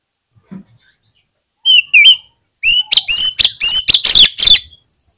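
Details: Oriental magpie-robin lure song for prompting other magpie-robins to sing. Two short whistled notes, a pause, then a rapid burst of roughly eight loud, piercing whistles with bright overtones, delivered almost back to back.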